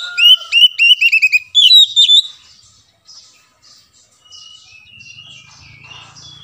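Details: Kacer, the Oriental magpie-robin, in lure song to coax a mute bird into singing: a burst of loud, repeated whistled notes with sliding pitch, fading into quieter, softer warbling and a low hum at the end.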